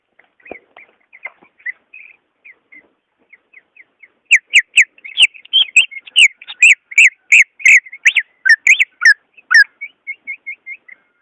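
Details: Song of a greater green leafbird, used as a lure for a caged leafbird reluctant to sing: soft thin notes at first, then a loud fast sequence of repeated whistled notes, ending in quieter chirps.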